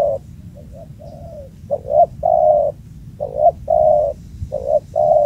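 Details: Wild spotted dove with a booming voice at an old spot: repeated low, hollow coo phrases, each a short note and then a longer drawn-out coo, about every 1.5 seconds, with a faint low rumble behind.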